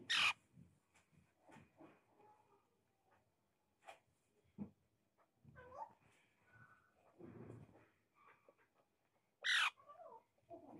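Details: A small pet Alexandrine parakeet indoors gives one sharp, harsh screech at the start and another near the end. Between them come quiet chattering, gurgling notes and faint room sounds.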